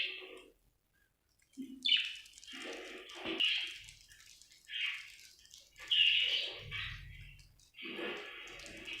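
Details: Happy budgie chirping at a low level in separate bursts of harsh, warbling notes with gaps of near silence between them and a faint low rumble near the middle.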